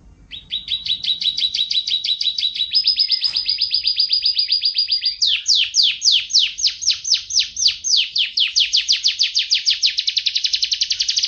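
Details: Canary singing isian masteran filler song for tutoring: long, loud trills of rapidly repeated identical notes, each trill held for a few seconds before jumping to a new pitch or note shape, continuing without break.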